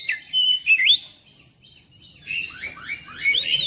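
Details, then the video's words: Oriental magpie-robin song for prompting a reluctant bird at home: clear whistled slurs, a soft pause of thin notes, then a cascade of rising, sweeping whistles. "KICAUAN KACER"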